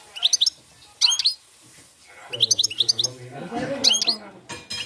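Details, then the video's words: A European goldfinch sings quick bursts of bright, tinkling twitters and liquid trills, high-pitched and rapid, with a low human voice murmuring and music in the background. "jilguero cante campero"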